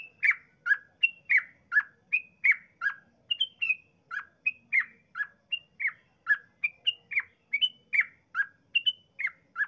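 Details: Long rapid yellow-vented bulbul song played to spur other bulbuls: a dense string of short bubbly notes, near two or three a second, alternating pitch without pause.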